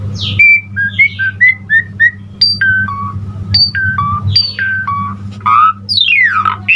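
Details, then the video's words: Asian pied starling singing actively with a full, varied repertoire, used to prompt and train other starlings: a chain of short clear whistled notes at shifting pitches, then buzzy downward sweeps near the end, over a steady low electrical hum. "Suara Jalak Suren GACOR Full Isian Terbaik Untuk Pancingan Masteran Semua Burung Jalak Cepat GACOR"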